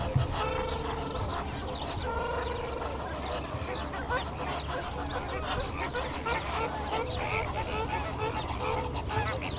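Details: A dense flock of greater flamingos, recorded 19 February 2017, keeps up a steady, goose-like babble of nasal honks and gabbling calls, many birds overlapping with no pause.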